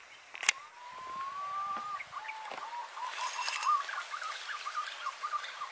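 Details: Green pigeon calling at a hunting spot: a long, clear whistled note held near one pitch with slight wavering, then a shorter whistle and a run of softer fluttering notes, over a steady insect hiss and a sharp click.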